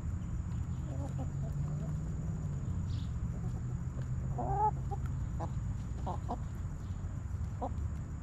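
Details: Backyard hens clucking in their coop: a few faint clucks early, then a louder wavering harmonic cluck midway and scattered short notes afterward, over a low droning hum.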